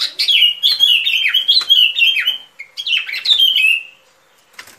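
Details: Sooty-headed bulbul lure song for trapping: a nearly continuous string of bright whistled notes sliding downward, repeated in two rapid phrases that fall away into silence.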